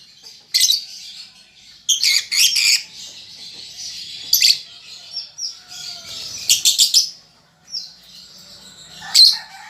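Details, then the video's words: Young lovebird still learning its ngetik and ngekek chatter gives irregular loud bursts of rapid clicking chips, some in quick doubled or tripled runs, between stretches of high buzzy warbling. "Lovebird Paud Baby Balibu Muda Belajar Ngetik Ngekek"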